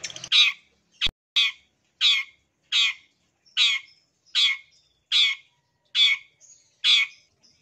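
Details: Long-tailed shrike harsh calls for encouraging silent caged birds to sing: grating, rasping notes repeated steadily roughly every 0.7 seconds, with a single sharp click near the start.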